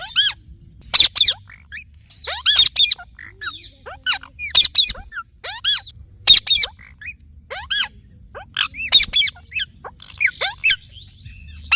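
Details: Talking Indian ringneck parrot calling continuously: loud rasping screeches, often doubled, alternate with downslurred whistled chirps and quieter chatter across nearly twelve seconds.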